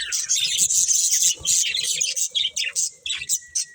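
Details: Breeding pair of budgerigars chattering with dense, scratchy high chirps and warbles in fast irregular bursts, with brief pauses and a thin whistled tone near the end.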